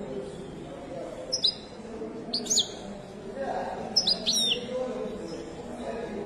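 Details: Moroccan goldfinch singing in Wedani style at a Casablanca bird market; three brief clusters of thin, high chirps with descending slides, spaced about a second apart, with a man's voice murmuring in the background.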